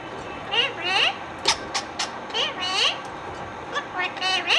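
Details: Indian ringneck parakeet chatters a rapid sequence of high, speech-like syllables mixed with sharp clicks, pitch sweeping up and down throughout.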